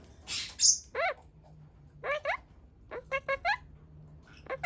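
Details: Talking pastel blue monk parakeet mimicking Japanese words indoors, producing a string of short, rising, chattering syllables in quick bursts, with a faint steady hum in the background.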